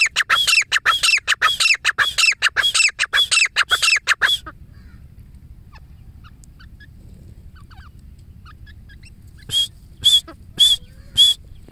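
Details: Wild female grey francolin calling: a fast run of loud, harsh, ringing notes, about two a second for four seconds, then a quiet gap with low rumble, then four more spaced ringing notes near the end.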